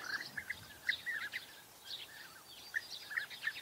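European bee-eaters give short, rolling, liquid 'prruip' notes, repeated in loose bursts, some overlapping as if from several birds, against soft outdoor background noise.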